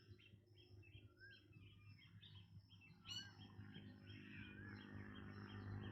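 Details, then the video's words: Black drongo giving a quick run of short, high chipping notes with a few whistled slurs and a harsh rasp, over a steady low rumble. "Black Drongo Bird Sound"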